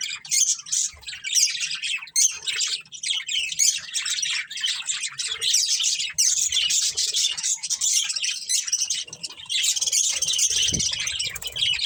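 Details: Budgerigar breeding pair giving steady, busy warbling chatter of high squeaks, rasps and chirps throughout, with faint soft tones and a low thump near the end.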